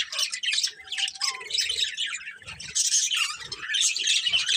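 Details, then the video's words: Pet budgerigars, a family group kept as love birds, chattering in dense warbling chirps and scratchy squawks that run almost continuously, several birds overlapping with brief quieter gaps. "Cute Budgies Chirping Sounds"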